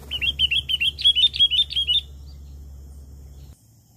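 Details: Wild sooty-headed bulbul, used as a lure call, gives a quick run of about a dozen bright, bubbly whistled notes over two seconds, then falls silent against a low hum.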